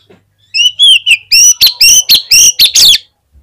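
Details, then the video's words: Oriental magpie-robin in full song, used as a lure to make other magpie-robins sing. After a soft lead-in, about ten loud, ringing whistled notes follow in quick succession over two and a half seconds, some upslurred and some dropping. "PANCINGAN KACER GACOR INI"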